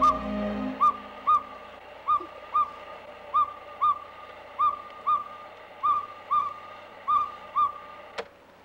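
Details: Northern pygmy owl, the smallest owl in Carmanah Valley, hardly bigger than a sparrow, giving a steady series of short, clear, whistled hoots about every half second, around fifteen notes in a row, with a sharp knock near the end.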